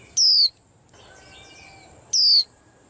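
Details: Caged white-eye on a rack, agitating the other birds: two loud, thin whistles descending in pitch, about two seconds apart, with softer chirps from other birds faintly heard between them.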